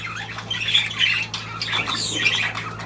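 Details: Budgerigars kept as pets chatter continuously indoors, with dense, scratchy warbles and sharp little squawks overlapping throughout, above a constant low electrical hum.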